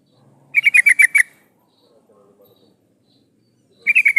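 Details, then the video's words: Female yellow-vented bulbul calling a male, played as a lure: a quick burst of about seven pulsed chattering notes, nearly three seconds of quiet with faint soft sounds, then another short burst begins. "suara burung trucuk betina memanggil jantan"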